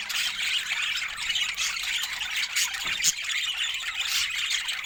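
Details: Budgerigars chattering steadily with bright, scratchy high chirps and squeaky warbles that blend into an unbroken, busy wash of sound, with a few sharper clicks near the middle.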